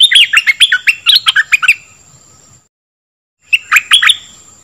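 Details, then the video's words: Dok taeng bird song played to train young birds and excite them: a rapid string of sharp, bright chirps, then a pause and a second short burst of chirps, with a faint steady high tone throughout. "เสียงนกดอกแตงEp.2 ใช้หัดลูกนก เปิดให้นกคึก!!"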